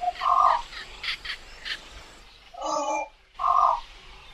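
Javan pond heron giving three harsh, nasal squawks, each about half a second long, with faint higher chirps between the first two.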